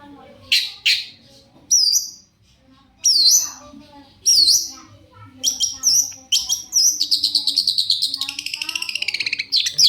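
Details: Shrike song used to make other shrikes answer: loud harsh downslurred notes spaced about a second apart, then a run of scratchy, chattering phrases ending in a fast rattling trill of rapid pulses.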